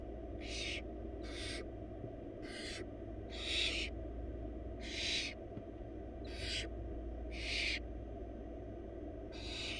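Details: Four wild barn owl chicks begging in a nest box as the mother delivers a huge rabbit; rasping hiss-snores follow one another roughly every second, some louder and longer, with constant low-pitched background hum.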